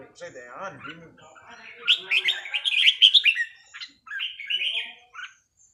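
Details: Red-whiskered bulbul in a day-off training session, a person talking briefly at first, then the bird pours out rapid chattering whistles followed by a few sweet warbled phrases.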